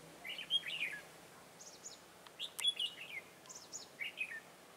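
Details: Decoy red-whiskered bulbul singing while wild birds are trapped, 15 March 2018: clear liquid whistled phrases, each a quick rising-and-falling warble, repeated about every second with brief pauses between.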